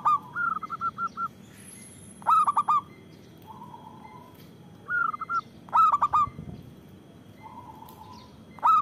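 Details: Local zebra dove with a big voice, played to lure birds and coax quiet doves into calling: alternating runs of quick short coos and bursts of ringing throaty notes, with soft purrs between, repeated several times.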